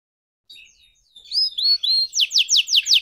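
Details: Red canary, young and still learning to sing, gives soft warbling notes that lead into clear whistles and then a steady series of loud, falling high notes about five per second.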